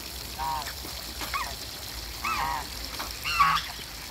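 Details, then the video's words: Several short raspy honks from Muscovy ducks splashing about in backyard water, four or five calls at uneven intervals, one louder near the end, with faint trickling water and low background noise. "MUSCOVY DUCKS PLAY IN THE WATER"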